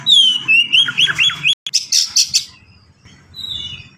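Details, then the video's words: Oriental magpie-robin singing rapidly: a bright descending whistle, quick warbled slurs, then a sharp series of rattling notes before fading into a soft high whistle. "KACER GACOR SPEED RAPAT FULL ISIAN"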